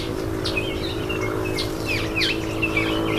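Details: Indian myna bathing: scattered short whistles and quick down-slurred chirps, some notes drawn out and wavering, above a constant low rumble.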